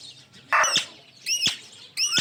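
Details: Pet ringneck parrot giving three harsh, ringing squawks, each under half a second, with sharp clicking onsets and pauses between them.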